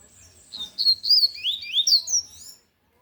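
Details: Lined seedeater delivering a loud tui tui style song: a fast run of high, ringing slurred whistles rising and falling over about two seconds, then silence.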